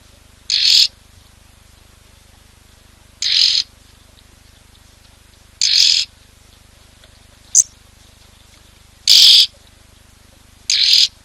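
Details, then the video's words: Red-billed oxpeckers perched on a rhino at a Lowveld waterhole on a windy 8 June 2024 give harsh, hissing, high buzzy rasps, six bursts about every two seconds, over a quiet low hum. "that call is so distinct of the red-billed oxpecker."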